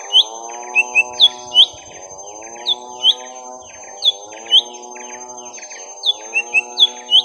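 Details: Young lesser green leafbird fighting a rival, with quick bright whistled notes in short clusters and brief silences between them, over a constant droning hum with rising and falling tones.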